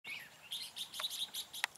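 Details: Red-whiskered bulbul decoy singing during trapping on 4 February 2017, used to lure and fight wild birds: a short burst of bright chirped notes, some sliding, with a sharp higher note near the end and a voice just after.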